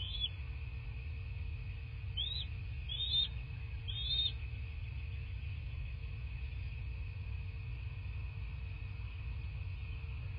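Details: Bald eagle calling at its nest in rural southwest Florida on the morning of 14 March 2024. Four short, high, squeaky chirps in the first four seconds, then only a continuous low rumble and hum.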